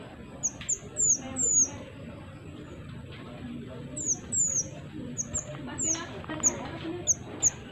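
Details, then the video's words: A Pied triller, played to lure other birds, gives very high, thin, down-slurred notes in quick clusters of two to four, repeated every second or so over a steady background hiss. "BURUNG MANTENAN MINI GACOR"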